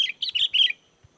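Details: Sooty-headed bulbul in spirited song to call wild bulbuls into replying: a quick burst of four or five chirpy, warbling whistles, then a soft low thump.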